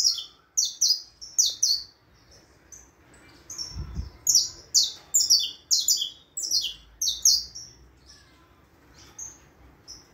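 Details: High, ringing downward-sliding chirps from a saffron finch in quick clusters, with a brief low thump near the middle and fainter notes toward the end.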